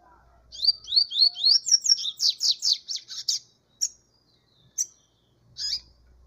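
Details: Double-collared seedeater singing a fast run of bright rising whistled notes, about four per second, that turns into buzzy trilled phrases, followed by three separate sharp notes.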